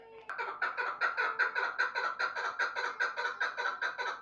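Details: After a click, a chukar partridge launches into a steady chain of coarse, clucking chuck notes, roughly two and a half per second, evenly spaced and loud.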